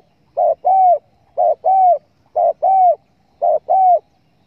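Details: Spotted dove coo used to lure doves for hunting: four evenly spaced pairs of low notes, a short coo followed by a longer falling one, on a quiet background.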